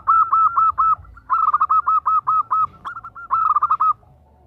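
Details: Zebra dove female calling to a male, giving several loud phrases of rapid, bouncing coos, each run of arched notes separated by short gaps.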